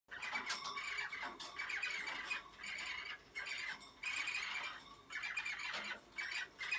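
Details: Mating cockatiels chatter in harsh, squawky bursts with high scratchy notes, broken by brief pauses every second or so.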